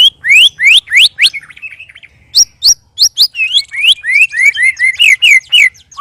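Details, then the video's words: Three caged white-rumped shamas sparring and giving loud, strange sounds. Bright upslurred whistles repeat about three per second, break into a short scratchy chatter, then return as a fast series of rising whistles mixed with clicks. "Murai Keluar Suara Aneh Ketika Di Trex 3 Murai"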